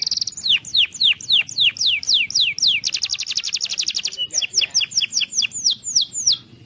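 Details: Belgian canary song to help young birds learn: a run of rapid falling notes, a dense fast trill, then quicker paired descending notes, all clean and clear.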